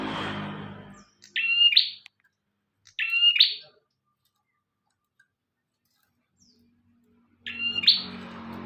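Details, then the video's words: Bar-winged prinia in energetic song for use as a training master: three short, sharp phrases of high, clipped chirps separated by pauses of a second to several seconds, with low background rumble at the start and end. "Burung prenjak tamu / prenjak omah gacor"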